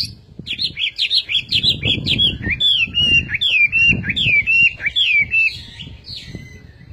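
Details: Chinese hwamei song, loud and melodious: rapid repeated whistled phrases, each note rising then dropping, running in a long varied series before trailing off, with faint low background rumble.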